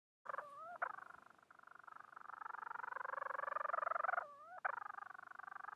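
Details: Bermuda petrel calling for a mate: a long, rapidly pulsed, throaty purring call, broken twice by short rising upslurred notes, then resuming the steady buzzing pulse.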